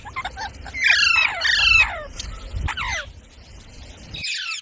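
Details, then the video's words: Parrot calling over steady background noise: repeated harsh, downward-sweeping squawks, a few shorter falling notes, and a brief raspy burst at the close. "Parrot Sound Videos | Parrot Sounds | Parrot Video | Talking Videos Compilation"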